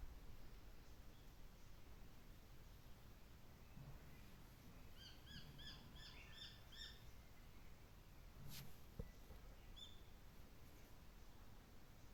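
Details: A male Japanese sparrowhawk gives a quick series of about ten high, sharp notes over two seconds, over steady low wind rumble and a single knock.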